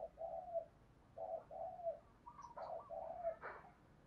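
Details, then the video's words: Decoy spotted dove from Đồng Nai, Vietnam, calling to attract wild doves: soft, hoarse coo notes in paired bursts against steady background hiss, with a faint sharp click near the end. "Chim cu gáy mồi gáy gọi bổi hay nhất Đồng Nai"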